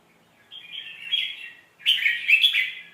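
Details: Sweet-phrased red-whiskered bulbul song used to teach chicks: a sustained warbling phrase, a short gap, then a louder run of bright, slurred whistled notes.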